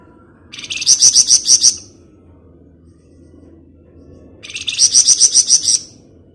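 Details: Flamboyan singing rapid 'ngebren' chatter, used as a lure: two bursts of about six quick, high buzzy notes each, roughly three seconds apart, with a faint low hum between them.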